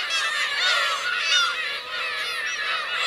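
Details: At Kurosaki coast, Teuri Island, Japan, on 17 June 2021, Black-tailed gull adults with chicks give a steady, crowded chorus of wavering mewing cries without gaps.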